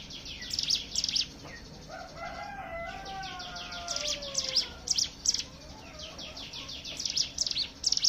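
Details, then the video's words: High prinia chips come in irregular bursts around several lower, gliding whistles from another bird in the middle. The Hill prinia song is used to lure other birds to sing. "pancingan ciblek gunung bahan ombyokan"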